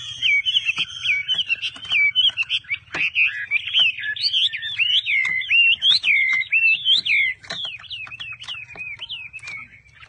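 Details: Caged hwamei delivering strong, looping whistled phrases, each note swooping up and down, repeated in a fast, almost unbroken stream, with a low background hum.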